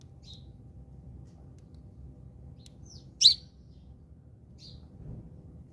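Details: House sparrows fighting in South Africa: a few short, thin chirps scattered through the clip, with one loud, sharp chirp near the middle, over a quiet low hum.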